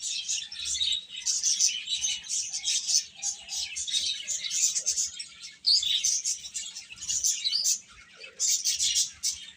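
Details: Many young chicks peeping together. Bright, high chirps pour out in steady waves, with a few brief quieter gaps.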